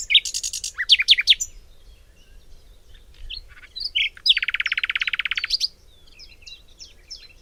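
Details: A common nightingale in a Cologne, Germany forest in springtime sings loud, varied phrases: sharp chirps and whistles, then a fast, even rattle of about twenty notes a second, followed by thinner, higher notes.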